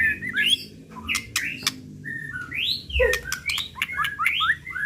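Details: White-rumped shama singing excitedly as a lure recording, unrepeated: varied rising and falling whistles mixed with sharp clicks and short buzzy notes, phrases changing every second, faint low background hum.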